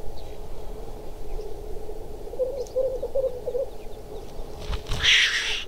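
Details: A black grouse, during a chase and fight, gives low, dove-like bubbling cooing in short bursts as a challenge to a rival, with a sharp hissing rush near the end and steady wind rumble beneath.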